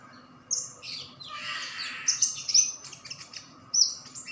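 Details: Freshly caught white-eye, captured two days before, singing busily: thin, very high whistled notes and rapid twitters mixed with a brief rushing noise early on.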